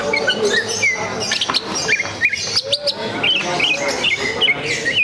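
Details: At a songbird contest, a Greater green leafbird competes while spreading its tail, pouring out a busy, rapid song of bright whistled notes, slurs and chattering trills, with other birdsong and faint voices behind.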